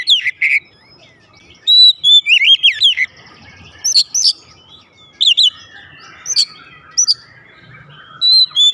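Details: Home-kept oriental magpie-robin answering at once in loud, full song: bright whistled phrases with sharp rising and falling sweeps, delivered in short bursts separated by brief pauses across the recording.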